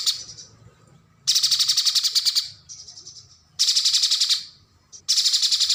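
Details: Streaked spiderhunter singing, a model song for training contest birds: three loud bursts, each about a second of very rapid, harsh, high chattering notes that fade out at the end, separated by short quiet gaps.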